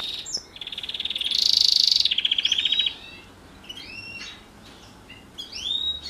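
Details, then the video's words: Morning training song of a housefinch and canary hybrid: a sustained rapid trill that swells and shifts pitch, followed by scattered upslurred whistled notes and brief pauses. "Housefinch x Canary Hybrid"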